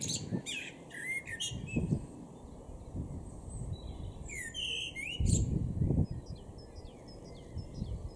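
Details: Male common blackbird singing in a garden in Weener, East Frisia, northwest Germany, April 2022: short mellow, fluted phrases ending in thin squeaky twitters, over a strong low rumble of wind or traffic.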